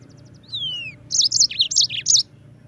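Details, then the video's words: Yellow-fronted canary singing, used as a tutor recording to train white-eyes: a few thin high whistles sliding downward, then a quick run of bright, looping chirped notes lasting about a second. "Masteran Mozambik Gacor"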